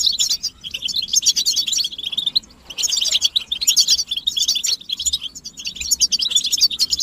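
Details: European goldfinches chatter in chorus to stimulate a male to sing: busy high twittering trills in phrases, with quieter gaps around two and a half and four and a half seconds before each new burst.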